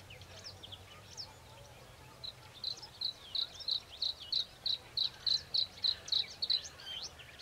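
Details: Bluethroat responding to playback of a rival's song while defending its territory: after quiet scattered notes, a steady ringing series of about seventeen identical high metallic notes, evenly spaced about three per second.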